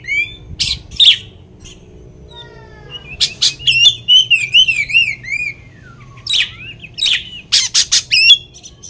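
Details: Oriental magpie-robin song loaded with learned material, used as a lure to provoke other magpie-robins. Sharp high chirps, then a run of downward-sweeping notes and a long wavering warbled phrase, ending in loud bursts of chirps.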